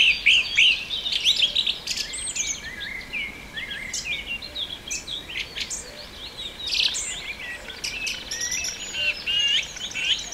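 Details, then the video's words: Song thrush song recorded at Pulborough Brooks, June 2017: rapid, varied phrases of sharp whistles, chirps and rising slurs, delivered almost continuously, with soft background hiss. "Song thrush Birdsong"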